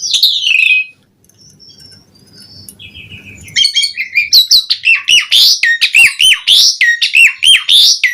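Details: Asian pied starling song for training starlings: a harsh opening squeal, soft low chatter, then about 105 rapid, fairly regular notes a minute, each a loud slurred whistle with a sharp click.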